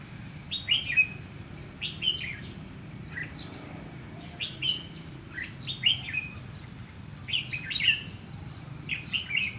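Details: Red-whiskered bulbul used as a decoy during trapping, singing in the 'ché' style to challenge rivals: short bright warbled phrases of rising and falling notes repeated about every second, with a steady low hum beneath and a faint high tone.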